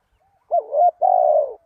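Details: A single spotted dove call used to lure wild doves: a brief wavering coo gliding into a longer, level, mellow coo, lasting about one second.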